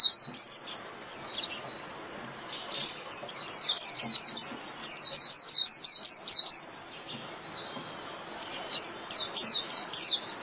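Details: A Japanese white-eye calls its flock in bursts of fast, high chirping notes strung in rapid runs, separated by quiet gaps of a second or more.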